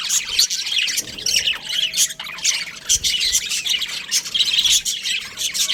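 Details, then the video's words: Young budgerigars kept in an aviary, steady busy twittering and rasping squawks from many birds at once, with a faint steady hum in the background. "Baby Budgies Chirping Sounds"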